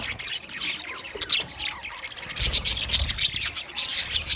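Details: Budgerigars, green-plumaged, give soft warbling chirps that build into a rapid, dense burst of high twittering and squawks in the second half.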